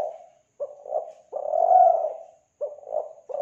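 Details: Spotted dove coo used as a lure for doves, Kelantan: two short soft notes lead into a long, swelling, mellow coo, then the short notes start again.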